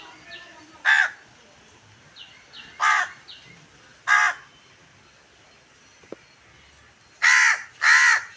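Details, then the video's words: A crow cawing to call its flock together: scattered single harsh caws at irregular gaps, then two in quick succession near the end, with quieter distant calls and a faint click. "தன் இனத்தை அழைக்கும், ஒற்றுமையின் சிகரத்தை தொடும் காகம்."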